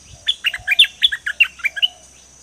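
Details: Bird known locally as dok taeng, played to train and lure birds, delivers a rapid chattering series of about ten high, clipped chirps in two seconds, some slurred, with faint low thumps.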